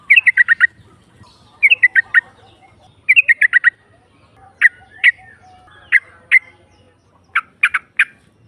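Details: Female sooty-headed bulbul calling to provoke rivals, ngropel style: short clusters of three to five fast, sharp notes come every second or so, then fade into single or paired chips toward the end.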